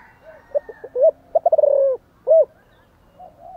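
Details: Spotted dove calling and cooing vigorously: a short burst of low hooting notes, then a longer rolling coo and a final loud hooted note, with brief quiet between.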